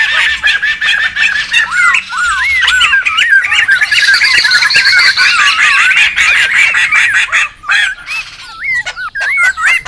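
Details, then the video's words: Noisy laughingthrush flock in the wild, a lure and tutor recording: a long run of wavy, looping whistles and harsh chatter from many birds together, thinning near the end to a few rising whistled calls. "SUARA PIKAT DAN MASTERAN SEMUA BURUNG POKSAY RIBUT ALAM LIAR"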